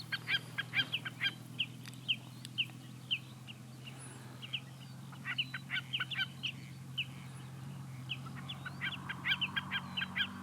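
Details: Common snipe with repeated short, dry ticking notes, spaced at first and then in quicker clusters near the end, over a constant low rumble.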